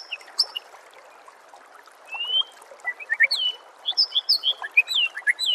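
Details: White-rumped shama song used as a master recording for training songbirds: quiet start, then a rising whistle and a fast run of varied sweeping and chirping whistled notes over a steady rushing background hiss.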